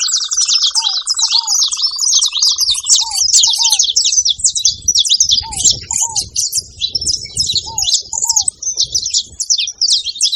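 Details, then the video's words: Saffron finches calling at a feeder pour out an unbroken, busy mass of high chirps and twitters; a steady mid-pitched tone fades over the first three seconds while short, low, downslurred double notes repeat throughout. "Canário da terra fazendo barulho na seva"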